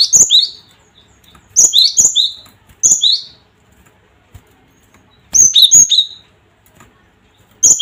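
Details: Cinereous tit calls used as a lure to provoke other tits into a fighting mood. Five bursts of sharp clicks, each followed by high whistled notes stepping down to a lower tone, separated by silent gaps.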